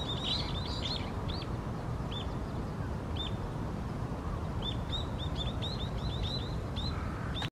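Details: Little grebe on the Tama River: short, high, thin notes, first in a quick cluster, then spaced singly, then a rapid run of similar chirps, over steady low rumbling background noise.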